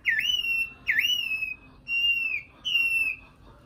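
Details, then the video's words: Drawn-out whistled notes from a nightingale, four in total, some opening with a quick downward swoop before levelling off, spaced roughly a second apart. "Best Video Nightingale Song , Sound Image Nightingale"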